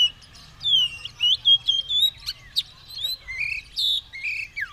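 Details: Oriental magpie-robin, ready to fight with tail fanned, sings a string of clear rising and falling whistles mixed with a few sharp ticks.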